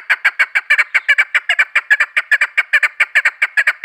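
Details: Female chukar partridge giving a steady, continuous series of hoarse, clipped chuck notes, often paired, at roughly two to three per second, loud and clear throughout.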